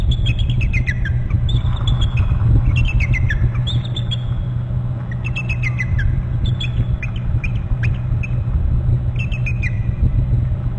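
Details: Trilling eagle at a Hornby Island nest territory on November 29, a second eagle nearby: bursts of high, piping notes falling in pitch, repeated every second or two over a constant deep roaring rumble.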